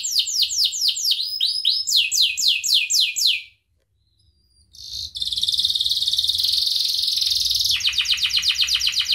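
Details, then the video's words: Canary tutor song for training other birds. A chain of downslurred whistles stops for about a second, then a long intense buzzy trill turns into fast rolling pulses. "SUARA KENARI GACOR UNTUK MASTERAN | Canary Bird Training"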